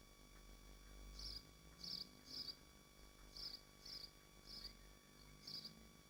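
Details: From a swift nest in Machynlleth, Dyfi Biosphere, eight short, piercing rasps arrive in pairs and singles about half a second apart, with a steady background hum.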